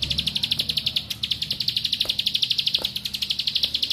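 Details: Bar-winged prinia, locally ciblek pari or ciblek sawah, singing rapid 'nembak rapet' material used as a lure to provoke other birds: fast, evenly spaced high ticking notes running continuously, with a soft low hum beneath.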